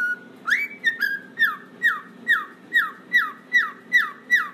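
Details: Pet cockatiel on its toy swing, reacting to cockatiel singing: one level whistle, then a rising slur, then a run of clear downslurred whistles repeated about two and a half times a second, over a steady low hum.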